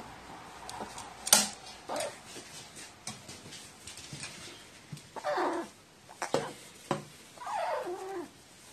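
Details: Crow behaving like a nestling when given water, recorded 29 March 2018: clicks and taps interspersed with whiny, down-slurring nasal calls, the clearest two near the middle and end, close in a small room.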